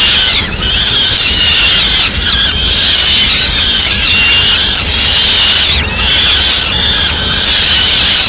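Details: As the female peregrine falcon brings a pigeon to the Madrid nest on 6 May 2016, long grating squeals follow one another about every second, with brief gaps and constant background hiss.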